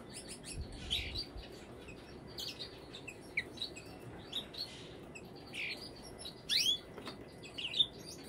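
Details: Brambling calling: short sharp chirps and nasal notes scattered across the recording, some rising quickly, with a steady background hiss.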